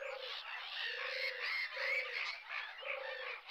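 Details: Low, throaty purrs of a European turtle dove, four rolling phrases about a second apart, at RSPB Frampton Marsh reserve from the car park on 26 July 2020, nearly buried under a dense chorus of chattering songbirds.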